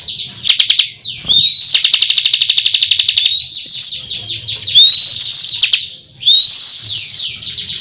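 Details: Bar-winged prinia (ciblek kristal) in steady gacor ngunci song: a rapid machine-gun run of high ticks, then repeated rising whistles over continuous shrill chatter.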